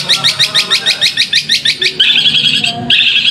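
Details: Long-tailed shrike (cendet) song used as a lure to stir reluctant shrikes into singing: a quick series of harsh, scratchy notes at about eight per second, then a sustained buzzy, chattering phrase.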